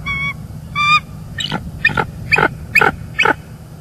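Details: Nesting pair of bald eagles in Northeast Florida on an early January morning, recorded by a live nest cam as the female calls and the male arrives to take over incubating eggs: two steady whistled notes, then five rapid chattering bursts.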